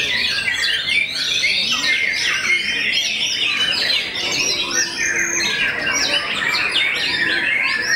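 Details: White-rumped shama, a renowned bird said to make many rivals back down, singing nonstop: a dense stream of varied whistles, quick slurred trills and sharp chips, with a brief steady lower tone near the middle.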